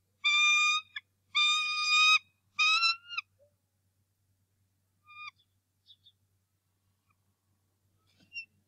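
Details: Bald eagle father confronting an intruding eagle at the Decorah North Nest, 2 March 2018, morning: three long, shrill, strained screams in close succession, then only a few faint scattered notes over a low steady hum.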